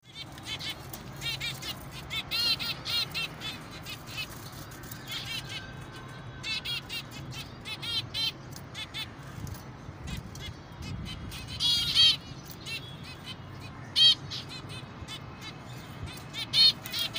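Zebra finches give short, nasal, toy-trumpet beeps, repeated in quick irregular bursts over a low background hum.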